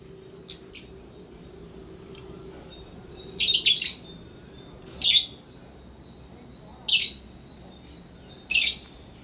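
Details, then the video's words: African lovebird in playful, happy mood: faint ticks first, then a doubled harsh chirp followed by single shrill chirps roughly every one and a half to two seconds. "African love birds sound #happy mood #playtime"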